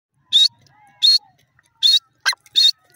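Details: Francolin, known locally as teetar, giving short harsh, raspy bursts repeated about every three-quarters of a second in a fairly steady rhythm, with a faint thin whistle and a brief lower squeak between bursts.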